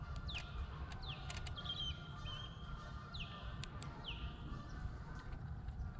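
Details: North American ospreys at a natural nest, two birds apparently fighting over the nest territory: sharp, high whistled chirps sliding downward in loose bursts every second or so, over steady low wind rumble.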